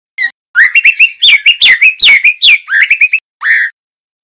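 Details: Young male white-rumped shama, a juvenile in speckled plumage, singing for training other birds: a dense run of quick clear whistles, chirps and rolling notes around a steady pitch, ending with a brief rising whistle after a pause.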